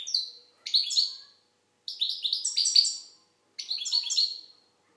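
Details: Algerian goldfinch singing loud, rapid, tinkling phrases of overlapping high falling notes, three long twittering bursts separated by brief pauses.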